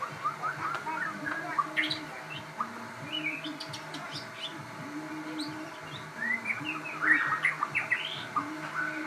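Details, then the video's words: Hybrid-bred shama in lively, nonstop song: a rapid jumble of varied whistles, chirps and sharp rising and falling notes, denser toward the end, over a constant low humming drone. "burung murai gacor"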